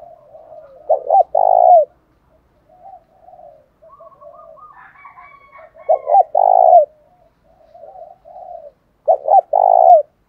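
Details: Spotted dove voices, cock and hen, used as a fighting lure to draw wild doves: three strong phrases of stuttered then drawn-out low coos, separated by quieter soft cooing.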